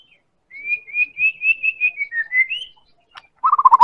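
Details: White-rumped shama, Medan type, singing as a lure to draw other birds into song: a steady run of clear whistled notes about twice per second, dipping then rising, ending in a rapid low stuttering trill.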